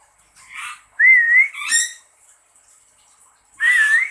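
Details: Lory answering its owner, who whistles from a distance: a raspy squawk, a clear human whistle, then a harsher layered screech, closing with another whistle.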